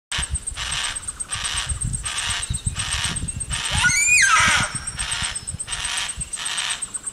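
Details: Juvenile Yellow-tailed Black Cockatoo calling in wet eucalyptus forest in far south Tasmania on 1 March 2022: harsh, raspy bursts repeated about every three-quarters of a second, with one brief tonal sweeping note midway and a steady high hiss behind.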